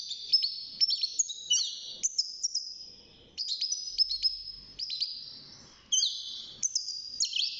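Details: Young caged European goldfinch, six months old, beginning to sing: rapid twittering phrases of high tinkling notes with buzzy downward slurs, coming in bursts separated by brief pauses.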